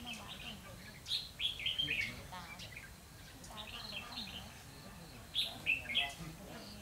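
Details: Red-whiskered bulbul decoy in a trapping setup, 12 November 2016, giving short fighting-song phrases of clear whistled, slurred notes in two separate bursts with a quiet gap between, faint voices behind.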